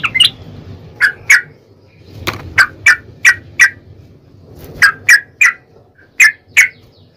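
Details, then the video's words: Yellow-vented bulbul song for luring other bulbuls into answering: sparse, bright whistled notes in pairs and short groups, separated by pauses, with faint clicks and low background hum. "trucukan gacor TARUNG ROPEL PANJANG pancingan trucukan agar bunyi"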